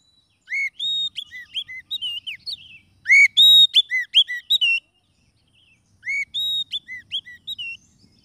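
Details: White-rumped shama lure recording for trapping: rich whistled phrases with arched slurs and clicks, delivered in three bursts with silent pauses, clean and without background noise.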